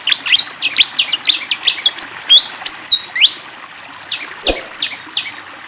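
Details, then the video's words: Busy fantail flycatcher song over flowing water: clusters of high, sharp chirps and stretched whistles, some climbing steeply, repeated about three times a second. A low thump sounds near the end and the notes thin out afterwards. "SUARA BURUNG SIKATAN KIPASS GACOR DENGAN SUARA AIR MENGALIR"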